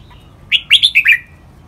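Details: Red-whiskered bulbul giving one short training phrase in the lak wai song style: four to five quick, bright warbled notes falling slightly in pitch, clear against a quiet background.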